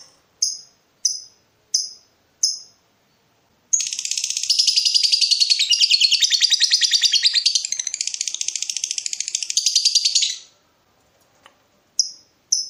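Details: Lovebird in breeding mood provoking a rival: four spaced sharp chips, then nearly seven seconds of dense rapid pulsed chatter, then more chips.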